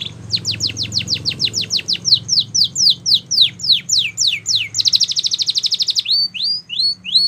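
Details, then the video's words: Training song from a canary: a steady series of high, falling whistled notes, a rapid ringing trill of about a second, then short rising slurs, over a faint low background hum. "Canary's Training Song"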